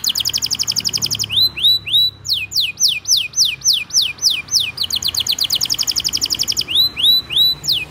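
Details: Tutor and lure song of a constantly singing canary, aimed at young and silent canaries. Fast high trills alternate with series of loud downslurred whistles and short rising sweeps, repeated in phrases.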